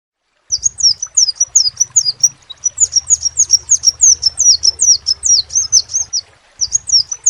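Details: Crimson sunbird song: a fast, high, thin series of sharp downslurred chips, about two per second, run together in long bursts with a short pause before the next string.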